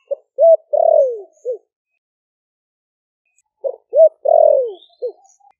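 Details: Wild-caught spotted dove, caged for four months in Ninh Thuận, calling other doves with its deep 'thổ sấm' voice. Two identical four-part coos: quick low notes, an upswept hoot, a long falling coo and a short tail note.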